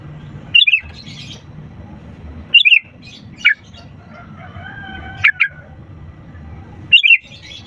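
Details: Sooty-headed bulbul song used to coax reluctant birds into singing: short bright bubbly phrases, each a quick up-and-down warble, repeated every two seconds or so over steady background hum and faint whistles.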